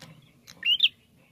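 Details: Single sharp upslurred phrase, a short rising note followed by a higher accented one, from a bar-winged prinia recording used as a lure to provoke singing, over low background hum.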